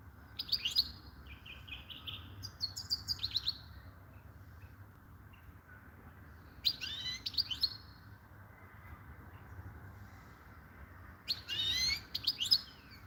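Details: European goldfinch song in bright, varied phrases of rapid tinkling twitters, buzzy trills and upslurred whistles, delivered in three separated bursts with quiet gaps, over faint low background noise.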